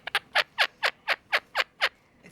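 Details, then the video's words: Male pet Quaker parrot laughing after biting its owner; nine raspy, descending staccato bursts repeated evenly about every quarter second, like a chuckling laugh, in a quiet room. "Quaker Parrot Talking and Laughing"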